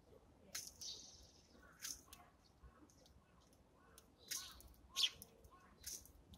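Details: At a morning feed, Eurasian tree sparrows give a few sparse high chirps and twittering notes separated by pauses of about a second, over quiet surroundings.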